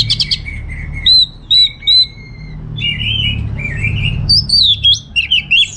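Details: Caged orange-headed thrush, North Bali, Indonesia, pouring out clear whistled notes, some held and flat, others looping up and down, then a squeaky twittering run at the end.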